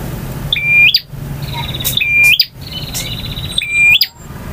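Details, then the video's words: Male bar-winged prinia in full varied song in the ngotot, ngalun and kristal styles: three clear level whistles, each closing with a sharp rising flick, linked by rapid buzzy trills. "KICAU PRENJAK JANTAN FULL VARIASI DURASI PANJANG || NGOTOT,NGALUN,VARIASI,KRISTAL"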